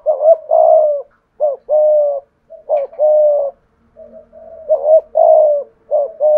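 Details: Spotted dove used as a decoy bird, singing in the 'thổ cục' style; steady repeated coo phrases, each a quick doubled note then a long level coo. Softer notes fill a gap midway.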